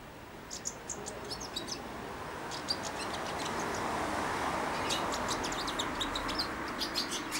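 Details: Four-month-old caged European goldfinch, hand-fed daily, giving early subsong by the hand: scattered high, thin twittering bursts in loose clusters over a steady low background hiss.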